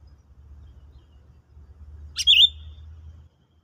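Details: Sooty-headed bulbul used to lure birds for trapping, tested after a stimulant: one sharp click and dipping bright whistle about two seconds in, over a continuous low rumbling hum.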